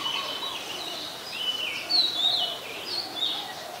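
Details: Black-collared starling, Ubon Ratchathani, Thailand, 12 July 2020: a rambling run of grating, squeaky chatters mixed with brief sharp whistles, uneven in rhythm, over persistent background noise and soft lower murmuring notes.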